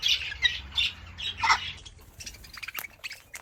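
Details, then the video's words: Pink cockatoos of the Major Mitchell kind in an aviary give a string of loud grating squawks about twice a second, then fainter scattered calls and background noise. "The Pink Cockatoo | Major Mitchell Cockatoos"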